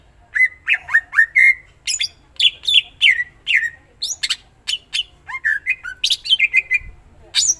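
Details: Greater green leafbird in lively 'gacor' song packed with 'isian' phrases. Fast, even runs of clear whistled notes alternate with sharp chips and buzzy slurs, repeated almost nonstop.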